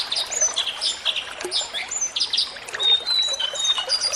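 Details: Sunda laughingthrush song, a recording used as training sound so a kept bird grows calmer and starts singing: busy bright chirps and short high whistles tumble in quick succession over trickling water.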